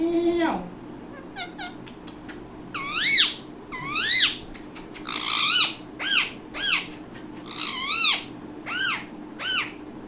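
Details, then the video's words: Indian ringneck parakeet, described as a talking parrot: a falling note, then a long series of loud arched squawks, each rising then dropping, repeated about every half second to second. "Ringneck Talking parrot"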